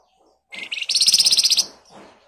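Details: Scarlet minivet (flamboyan) singing in ngebren rapat style, used as a lure to get other birds to respond: two rising chirps lead into a quick, sharp trill of about twelve piercing high notes over one second.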